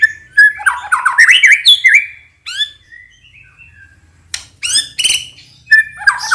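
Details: White-rumped shama singing to provoke other birds. A dense tumble of whistled and chattering notes, then quieter sliding whistles, a lull, and sharp high bursts of mixed notes near the end.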